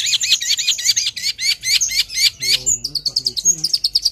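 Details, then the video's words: Singing long-tailed shrike, locally cendet or toed: fast series of high, hooked chirps in quick succession, then a lower chattering passage and sharp, thin twitters at the close. "Burung Cendet |Toed Gacor Abis"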